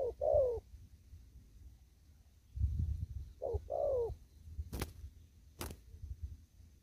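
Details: A spotted dove in a farm field gives two 'đồng thúc gù' coo phrases, a short note and a longer falling coo, separated by several seconds. Low rumble and two sharp clicks fill the rest.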